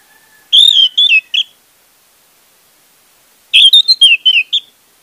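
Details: Orange-headed thrush singing as a lure for a bird that has gone quiet: two loud phrases of full, warbled whistles with slurs and short trills, the second longer and more varied, separated by silence.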